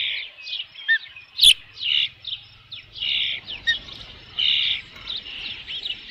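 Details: Osprey at the nest with a fish, June 3, 2018, late afternoon; a series of moderate, high whistled chirps and short downslurred notes, with one sharp click-like sound early and a faint low hum beneath.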